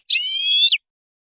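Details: European goldfinch in the Spanish song style, from a tutor recording for teaching young birds: one drawn-out, buzzy, harmonic note held level for under a second, then dropping sharply at the end, on a silent background.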